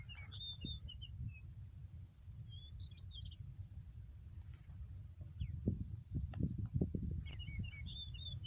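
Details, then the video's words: Song of a yellow-breasted bunting in a Yakutsk meadow, June 4, 2020: several brief bursts of high whistled and trilled notes spaced a few seconds apart, with strong low rumbling background noise and a few knocks. "Голос овсянки дубровника"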